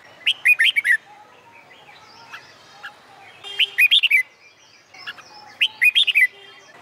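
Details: A Red-whiskered bulbul sings fighting-style contest song under summer midday sun to stimulate other birds. Three short phrases of rapid, sweet rising and falling whistles repeat roughly every two seconds over quiet background chirping.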